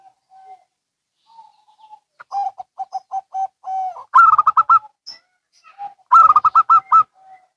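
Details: A local and a Bangkok zebra dove answering each other, a string of steady coos leading into two loud stuttering bubbly bursts of quick repeated notes.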